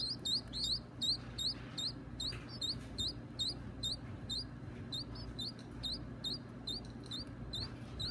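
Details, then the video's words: Baby birds at feeding time, softer hooked high chirps in uneven runs, roughly two to three per second, over a low rumbling hum. "Feeding the baby birds"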